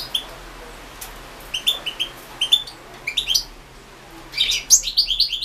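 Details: European goldfinch competing in the 2016 World Championship in Goldfinch Song, held online. Scattered single high chirps build into a quick, fluid run of twittering notes near the end.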